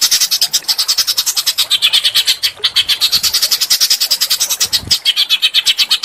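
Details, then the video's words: Small birds recorded to provoke a white-rumped shama: continuous rapid high twittering notes, evenly pulsed at roughly two per second in rolling phrases. "masteran burung kecil agar murai batu gacor"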